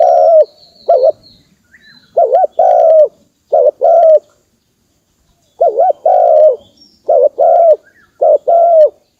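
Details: Spotted dove calling, a recording used as a lure for trapping wild birds; low, mellow two-part coos, a quick wavering note then a longer steady one, repeated about seven times with a pause midway; faint thin high whistles in the background.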